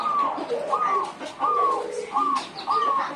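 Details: Local zebra dove cooing: a series of five short, rising-and-falling cooing phrases, each with a hooked higher note followed by a softer lower trill, against faint background noise.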